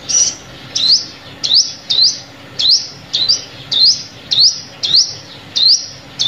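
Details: Sunbird calls serving as a lure for bird trapping: a long series of eleven thin rising chips, fairly regular, roughly two per second, with low background hum.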